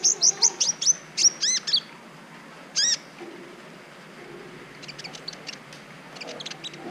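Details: Tutor recording of a brown-throated sunbird, used to trigger breeding urge in other birds: a fast burst of thin, high chirps, a lone arched note set apart, then softer, scattered high ticks.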